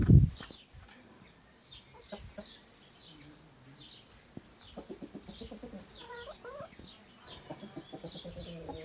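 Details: Chickens, a rooster with his flock, recorded in Slovenia. Soft, low clucks come in quick repeated bursts through the second half, with faint high chirping from small birds in the background.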